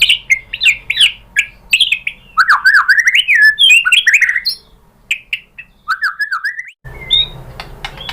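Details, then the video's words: White-rumped shama (murai batu) lure song to trigger other shamas to sing: a dense mix of slurred whistles, chips and short trills, fading to scattered notes before an abrupt cut to a quieter, noisier passage. "biar NYAUT dan GACOR MURAI BATU cocok pakai PANCINGAN ini di jamin juga BONGKAR MATERI ¦ SHAMA BIRD"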